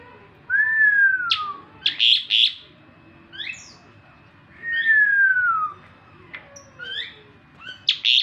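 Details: Asian pied starling singing in the morning: long clear whistles slurring downward from about mid pitch, broken by bursts of harsh, high chattering notes and short rising squeaks, with pauses between phrases.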